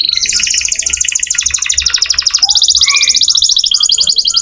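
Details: Canary singing vigorously, offered as master song for training magpie-robins: dense high trills and rapid rolled phrases, changing to a brighter, faster buzzing roll about halfway, with short lower notes beneath.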